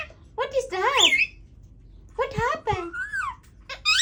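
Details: Captive Indian ringneck parakeet trying to talk: two groups of babbling, word-like warbles with up-and-down pitch, the second ending in a long falling tone and a high squeak.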